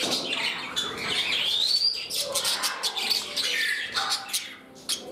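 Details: Caged pet parrots interacting in a new home, one becoming spirited; busy high chirping with a clear upward-sliding whistle near the middle, followed by rapid twittering notes.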